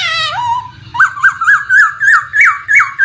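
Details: Caged laughingthrush (poksay) in a lure recording meant to prompt a silent bird to sing. A short harsh opening leads into a run of loud whistled notes, each rising then dropping, about four per second and climbing slightly in pitch, over a low steady background.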